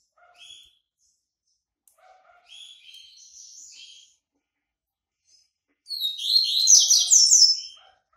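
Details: White-breasted yellow-bellied seedeater coming out of moult; soft scattered chirps and a buzzy phrase, then a loud, dense, rapid twittering song lasting nearly two seconds near the end.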